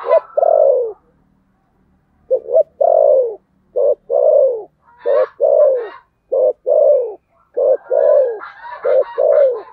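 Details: Spotted dove delivering a fighting coo in the thổ sấm gù style. Loud, low, descending coos are paired with short clipped notes in repeated phrases, with some higher, harsher sounds overlapping later.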